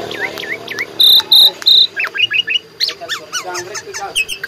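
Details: Tame, free-flying Asian pied starling singing a busy run full of mimicked sounds: looping whistles, chirps and steady cricket-like trills.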